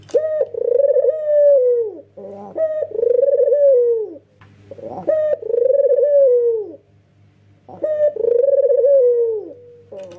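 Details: Male white red-eyed Barbary dove calling vigorously in nodding style: clipped stuttering lead-in notes, then long, steady, throaty coos, each slightly falling at the end, repeated every few seconds over a faint low hum.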